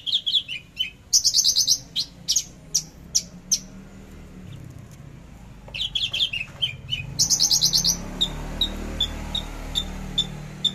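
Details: Javan bush lark in trotol song, 13 December 2022: falling whistled notes lead into a fast high buzzy trill and spaced sharp ticks, repeated in a second phrase, then evenly spaced single notes fading out.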